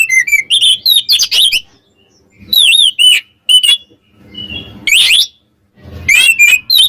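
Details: Magpie-robin song meant to stir up rival birds: bright swooping whistles and harsh rasping bursts in short bouts, separated by brief silences and a low rumbling noise.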